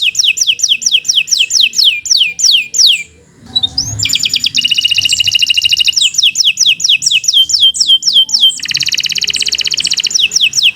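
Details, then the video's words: Canary singing a long tutor song: rapid descending whistles repeated many times, a short pause, then buzzy rolling trills, chattering phrases and a dense high rattle. "Kicau Burung Kenari 142 II LUAR BIASA GACOR PANJANG Cocok untuk Masteran"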